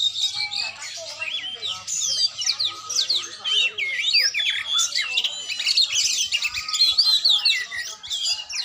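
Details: Singing oriental magpie-robin in training, producing lively, jumbled phrases of up-and-down whistles, scratchy notes and quick trills in a near-continuous high outpouring, with a faint low buzz early on.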